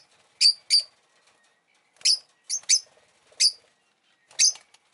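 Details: Pet rosy-faced lovebird giving shrill, high chirps, six calls in five seconds, some in quick pairs, with short silent gaps between them.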